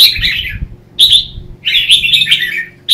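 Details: Competitive morning song of a red-whiskered bulbul, used to train and excite other bulbuls: three loud bursts of chattering, bubbling whistles separated by short silences, the last phrase longest and slurred downward.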